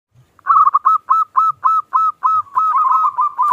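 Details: Local zebra dove singing a small "klung"-style song, used as a lure to prompt silent doves to sing: a rapid string of clear, ringing cooing notes, some doubled and trilled, with soft low thumps at the start.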